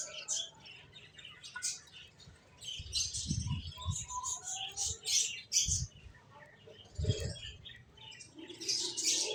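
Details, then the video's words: ['Lively finch chirping: rapid high chirps scattered throughout, with a few soft low thuds of movement and wingbeats.'] "Cute Birds Chirping Sounds | Beautiful Finches Sounds"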